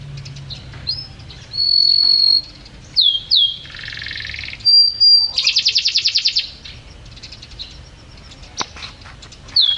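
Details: Champion canary in full song: sustained high whistled notes, slurred downward phrases, a buzzy broadband trill, then a rapid pulsed rattle, followed by a sharp click and a final slurred note after a pause.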